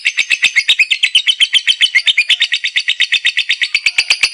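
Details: Lovebird bred for contests, chattering in ngekek fashion: a shrill, scratchy trill of about four notes per second, sustained and strongly rhythmic throughout.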